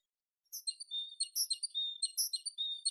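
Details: A tit's song of quick, high twittering notes, bright and varied, alternating thin piercing chips with slightly lower whistled notes in a steady stream.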